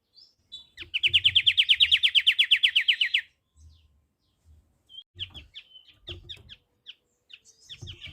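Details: Loud, rapid, even trill of about twenty ringing notes from a white-rumped triller lasting two seconds, followed by a pause and scattered short chirps, with soft low knocks in the background.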